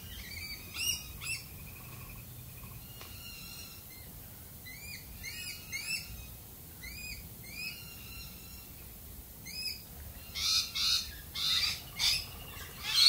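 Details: Australian galah making a sequence of short rising squeaky notes in small clusters, scattered over several seconds, followed by a burst of loud harsh rasping screeches at the end.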